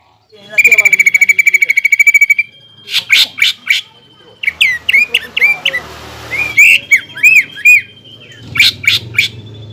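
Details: Greater green leafbird, a lure song meant to provoke a rival leafbird into fighting, rich in mimicked phrases of other birds; a fast rattling trill, then loud clipped whistles and upslurred chirps in bursts, with a steady high tone behind.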